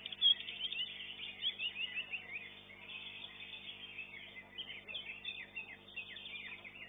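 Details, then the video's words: Greater green leafbird competing in a singing contest in Indonesia, delivering a continuous stream of high, varied twittering and chattering phrases over low background noise from the arena. "KELAS CUCAK HIJAU"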